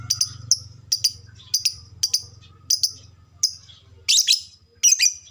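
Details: Lovebird kept as a fighter bird giving short, sharp high chirps, often in quick pairs, roughly once a second, ending with two harsher squeaky bursts; faint low hum underneath.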